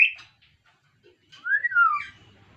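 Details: Kaso-kaso bird, an insectivore said to be difficult to tame, giving a short bright note and then a smooth rising and falling slurred whistle, used as a lure to make other birds sing.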